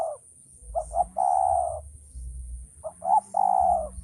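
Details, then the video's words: Two cooing phrases from a male spotted dove. Each opens with short quick notes and ends in a prolonged, smooth coo, with a faint background hum. "suara burung tekukur"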